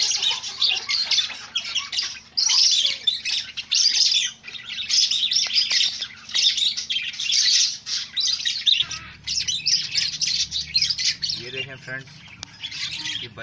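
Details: White zebra finches in a breeding setup keep up a dense chorus of high, nasal chirps and chattering calls.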